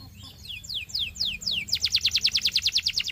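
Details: Belgian canary tutor song for young birds. A few soft notes lead into falling whistled sweeps, then a quick, loud, regular trill of bright pulses.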